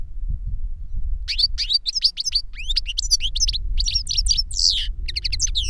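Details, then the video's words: Caged European goldfinch, a master song bird whose recorded singing was used to teach a young goldfinch, singing a fast run of bright twittering notes with sliding whistles and a buzzy trill, starting after a second of low rumble. "Jilguero maestro cantando reclamo y enseñando a otro jilguero novel"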